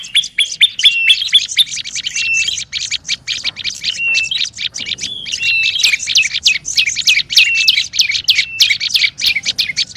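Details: Olive-backed tailorbird calling noisily, as used for luring birds: a dense, near-continuous run of sharp, high chips and short whistled notes, several overlapping in quick succession, over a faint low rumble.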